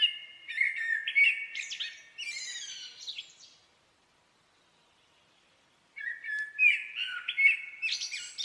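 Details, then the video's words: Common blackbird sings a warbling phrase with a squeaky high twitter at the end, falls silent for about two seconds, then starts another melodious fluted phrase. "Blackbird song"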